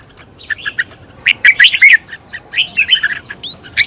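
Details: Energetic red-whiskered bulbul decoy song in the fired-up style: dense bursts of bright, warbled chirps, with a loud central flurry and an upward-sweeping whistle near the end.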